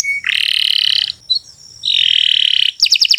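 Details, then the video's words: Canary song from a recording for training other birds: two long, harsh buzzing rolls separated by a brief thin note, followed by a short burst of quick falling trilled notes. "Kicau Burung Kenari 156 II LUAR BIASA GACOR PANJANG Cocok untuk Masteran"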